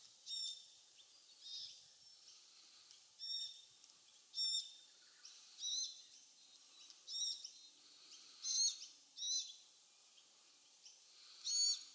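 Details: Glossy black cockatoos, parents and fledgling, feeding in casuarina trees near Bournda Nature Reserve, 19/11/22, 5.30 pm; a steady series of about ten short, thin, wheezy calls at irregular gaps of one to two seconds.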